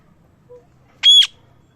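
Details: Parrot chirping: one brief, loud, clear whistled note, steady and high with bright overtones, after a faint low tone and quiet background hum.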